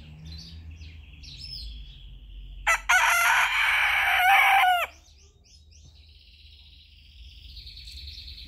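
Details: A young rooster perched on a person's head crows once: a loud, hoarse, harmonic crow of about two seconds. Small birds chirp and whistle faintly in the background before and after.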